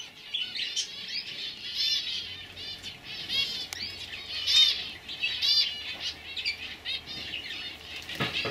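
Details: Juvenile canaries hatched in 2015 warbling steadily, looping trills and rolled notes overlapping in a bright high chorus, with a few clear whistled notes.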